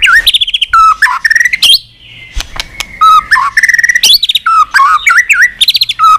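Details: Excited White-rumped shama in training, flicking its tail and singing in many voices: rich whistled phrases with dropping slurs and rapid chattering notes, broken by a short quieter pause before the song resumes strongly.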